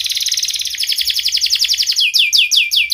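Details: Energetic canary song for prompting quiet canaries to sing, opening with a long rapid buzzy trill of repeated notes and closing with several loud descending whistled sweeps.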